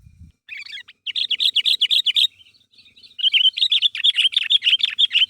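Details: Sooty-headed bulbul used as a lure, calling to get others to answer: long runs of rapid, even chirps at about two per second, broken by a short softer stretch.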